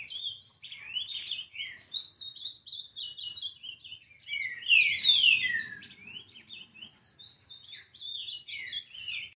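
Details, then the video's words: Eleven-month-old ultramarine grosbeak in brown plumage delivering a fast, jumbled warble of sweeping slurred notes, with a louder, harsher burst midway before the bright phrases resume. The background is quiet. "Azulão Pardo Com 11 Meses de idade Dando Um Show de Canto"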